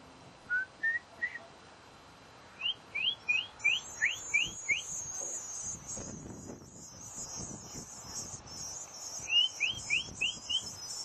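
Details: Hungry bluebird nestlings in a decorative birdhouse in spring: a steady chorus of thin, very high hissing begging notes, with clear short upslurred whistles given singly, then in a quick series of five, and again near the end.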